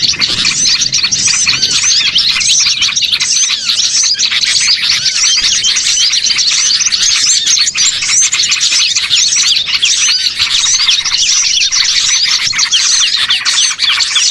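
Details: Bird-trapping lure of small birds calling together, a long, steady wall of bright high-pitched chirping and twittering from numerous birds without a break.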